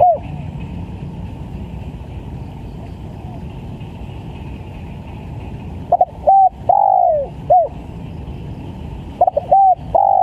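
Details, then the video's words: Spotted dove lure call, calling vigorously: after about six seconds of low rumbling background, two phrases of short stuttered coos, each followed by a longer drawn-out descending coo and a brief closing note. "PANCINGAN TEKUKUR||SUPER GACOR"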